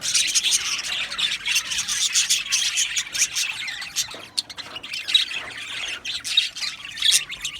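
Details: Australian budgie colony in an aviary; busy high chirps, squawks and short sharp whistles overlap in a restless, uneven chatter.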